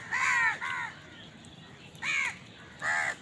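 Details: Crow caws during feeding, with crows contesting food. A quick pair of hoarse caws, then a pause and two more spaced single caws, each nasal and slightly falling.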